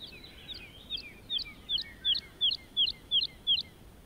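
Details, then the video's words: A lark in grassland song flight gives a steady series of about ten sharp, high upslurred notes, roughly three per second, growing louder midway and then fading, over faint open-country noise. "The Calming Power of a Larks Birdsong"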